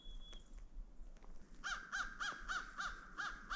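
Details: American Crows at Meridian Park on a snowy, foggy winter morning, calling all morning: a rapid series of about seven harsh, arched caws, roughly three per second, after some faint earlier calls; low wind rumble throughout.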